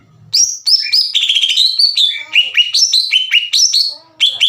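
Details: Greater green leafbird singing a continuous chattering run of clear whistles, stepping up and down in pitch with repeated short slurred notes, meant to provoke emotion in other leafbirds; a faint low hum at the start.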